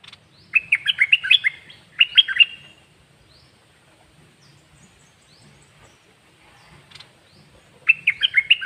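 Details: Caged bird song: short bursts of rich, slurred whistled notes, a rapid phrase near the start, a briefer one soon after, then a long pause before a final phrase, with faint low background rumble.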